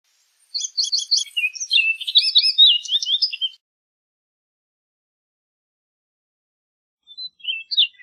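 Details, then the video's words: Song of an orchard oriole: rapid stuttered notes opening into a hurried, varied warble of whistles and chatters for about three seconds, then a pause and a few more sharp notes. "Orchard Oriole Bird Singing, Calling, Chirping, Sound - Calandria Castaña Canto - Icterus Spurius"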